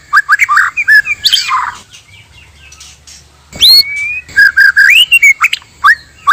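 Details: Male and female white-rumped shama, used as a trapping lure: quick warbled notes and a rough burst, a pause, then a high rising whistle and a run of rich looping phrases.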